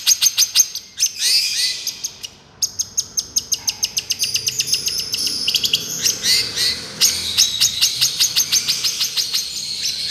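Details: Long-tailed shrike, 'miyik' therapy song: fast harsh chatter of repeated clicks, a short pause, then a long rapid rattling series of sharp notes.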